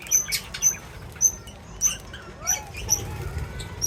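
Small birds give thin, high chirps, several in quick succession at an uneven pace, with a low rumbling background.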